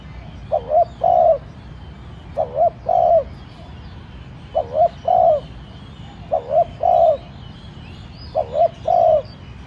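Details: Spotted dove decoy cooing steadily to excite other doves into calling: five phrases, each two quick rising notes ending in a fuller coo, roughly every two seconds.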